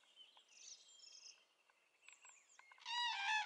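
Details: Cranes calling at dawn on 3 April 2016: thin high whistles and short chirps from other birds, then a loud, harsh, strongly layered trumpeting call bursts in near the end and holds.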